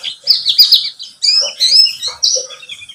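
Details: Buxtomi white-eye lure song meant to set caged birds singing: short bursts of high, bright warbling chirps, broken by brief pauses, with slurred rising and falling notes.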